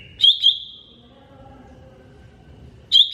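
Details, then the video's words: Green leafbird, named cucak ijo mini, in a masteran training song: a pair of sharp, loud chip-like notes run into a long high whistle that slowly fades; the same paired notes return after nearly three seconds. "MASTERAN CUCAK IJO MINI"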